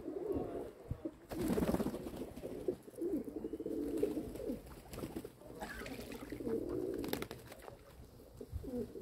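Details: Several domestic pigeons kept by their owner, low murmuring coos around a fixed low pitch, rising and falling in overlapping phrases, with scattered clicks and wing or handling noises.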